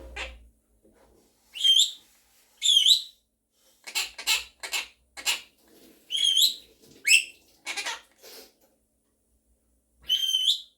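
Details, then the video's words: Pet monk parakeet (Quaker parrot) talking and singing with its owner: high, wavering whistled notes that bend up and down, spaced a second or so apart, mixed with brief clicky chatter and a few sharp taps. "Quaker Parrot is talking and singing with me | Monk Parakeet Talking and Singing"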